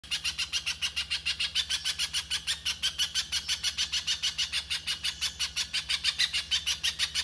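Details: Little spiderhunter (pijantung pisang) in the 'konslet' style, used as rough masteran training material: a rapid, even stream of harsh, buzzy high chips, about three per second, continuing the whole time over a faint steady low hum.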